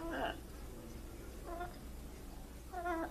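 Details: A trained pet blue-and-gold macaw gives three short, whiny, speech-like utterances about a second and a half apart, saying words like "what's up" and "hello" and imitating crying, over a low steady hum.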